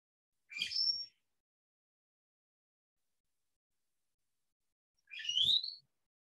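Brown-headed Cowbird song: two brief bursts about four seconds apart, each a low liquid gurgle jumping to a thin, piercing high whistle. Silence between.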